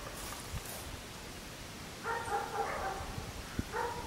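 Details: Cream-backed woodpecker (Campephilus leucopogon) in Corrientes, Argentina, gives a short run of nasal, squeaky calls, then one more brief call after a pause, over faint background hiss.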